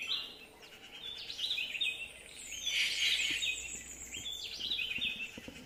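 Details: Yucatan jay voice: a run of rapid chattering and squeaky notes in irregular bursts, a louder rasping phrase in the middle, set against constant environmental noise.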